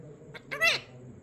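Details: Parrot kept as a pet mimicking a crow's call on request: a faint short note, then a loud, rising-falling, raspy caw lasting under half a second; a woman speaks around it.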